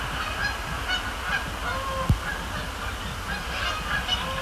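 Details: Canada geese at Sapsucker Woods Pond, Cornell Lab of Ornithology, after dark in late October; soft, distant honks spread through the clip, a steady low rumble, and one sharp knock in the middle.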